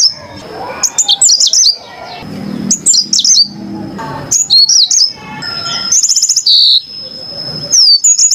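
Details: Very clear Mozambik (yellow-fronted canary) singing: clusters of sharp high chirps and twisting whistles, a long steady high tone running beneath, and a short buzzy trill near the end.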